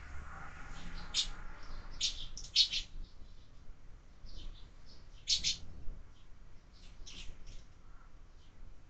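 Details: Sparrows at a window-mounted feeder, fed year-round, giving short bright chirps in scattered bursts, some clustered and some single, over low rumbling background noise.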